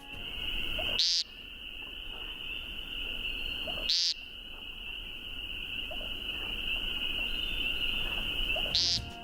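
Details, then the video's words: An American woodcock gives a harsh, nasal, buzzy peent about every three seconds over a steady high trilling chorus of frogs or insects. "this is what an American Woodcock sounds like"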